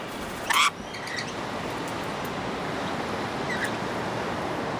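A rainbow lorikeet gives one short, harsh, grating screech, followed by a couple of faint high chirps over a steady outdoor hiss.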